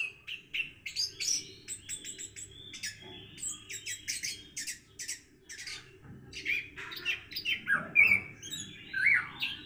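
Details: Orange-headed thrush singing in the morning while learning a 'rock and roll' style: bursts of rapid buzzy chatter and clicking notes, ending with clearer whistled slurs, over a low constant hum.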